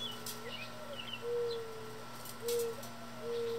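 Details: Mourning doves in a backyard, several feeding on loose seed under feeders with some chasing each other: low, soft hooting coos, an upslurred note followed by steady drawn-out tones, over a constant low hum with faint higher chirps and clicks.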